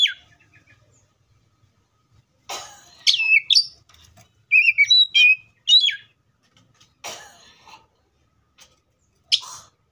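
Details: Oriental magpie-robin singing in the wild, scattered phrases of whistled and chattering notes among sharp clicks and short noisy bursts, with long silent gaps.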